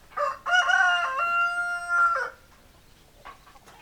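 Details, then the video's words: Rooster crowing: a loud harmonic cry that starts with short notes, holds a long steady tone, then drops off, followed by soft faint clucks from hens. "Chicken Sounds Noises Hens Clucking Roosters Crowing"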